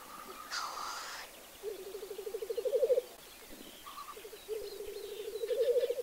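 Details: Black grouse bubbling at a lek: low, rolling cooing phrases that swell louder over about a second and a half, with a sharp sneezing hiss between them and a brief whistle.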